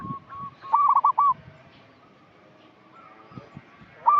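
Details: Local zebra dove (perkutut) singing for luring untrained doves: one clear phrase of rapid rippling coos, a long quiet gap with faint distant tones, then the opening of the next phrase.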